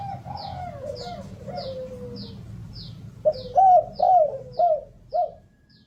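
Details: A soft, drawn-out falling coo opens this spotted dove song, then a lively burst of four or five rounded, rising-falling hoots, with repeated high faint chirps from another bird throughout.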